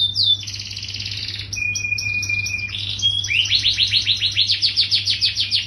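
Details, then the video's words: Yellow canary singing vigorously: long high trills and buzzy rolls, a sustained whistled note, then a rapid run of repeated descending chirps, about three and a half per second, over a steady low hum. "SUARA BURUNG KENARI GACOR KUNING"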